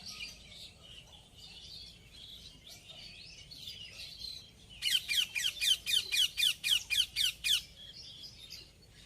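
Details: Ringneck parrot repeating sharp, harsh screeches about eleven times in a steady rhythmic burst of roughly four per second, preceded by softer scattered chirps.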